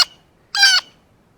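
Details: Blue jay, very excited at seeing a ripe banana for the first time, among varied calls including a monkey-like impersonation: a faint short note, then one harsh, nasal, richly layered call lasting about a quarter second, in quiet surroundings.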